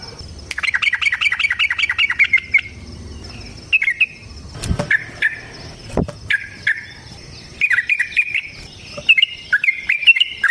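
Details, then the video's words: Yellow-vented bulbul giving energetic long-running wild song meant to lure other bulbuls into singing: a fast bubbly run of chattering notes, then scattered short warbled phrases between sharp clicks and knocks, a faint high whine throughout. "Trucukan GACOR ngalas ROPEL PANJANG suara alam AMPUH buat pancingan"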